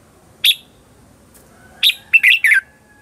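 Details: A lure red-whiskered bulbul sings a brief "ché chéc" contest phrase to draw wild birds: one sharp chirp, then a quick run of three slurred, bright notes, over a quiet background.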